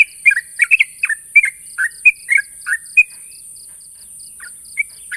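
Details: Sooty-headed bulbul issuing a challenge call to a rival: dense cluster of chirpy slurred notes for three seconds, then near silence with a couple of isolated notes, over a high steady hiss and faint regular ticking.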